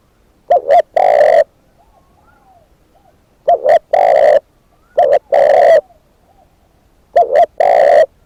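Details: Spotted dove used as a decoy, calling four times with long pauses. Each call is a short doubled note and then a long low coo, with faint soft whistles in the gaps.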